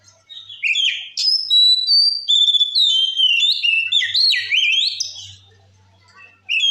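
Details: Loud 'ngeplong' singing from an Oriental magpie-robin meant to stir up rival magpie-robins; a continuous run of bright whistles, swooping slurs and high piercing notes lasts nearly six seconds before a short pause and a new phrase.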